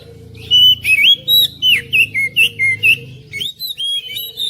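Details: Oriental magpie-robin (kacer) song used to coax a quiet bird into singing: a run of about nine loud, clear whistled notes, each rising or slurred, evenly spaced roughly every third of a second, then softer warbling phrases.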